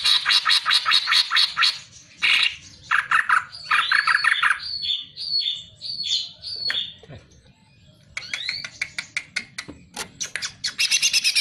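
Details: Cucak ijo (greater green leafbird) training song for songbirds: rapid rattling bursts, then a series of clear upslurred whistles and varied chattering phrases, returning to fast scratchy rattles at the end.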